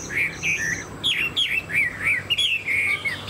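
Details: Chinese hwamei, a caged bird with a fanned tail. Its song is loud and melodious, made of looping whistled notes that rise and fall in a wavy pattern and repeat in quick succession.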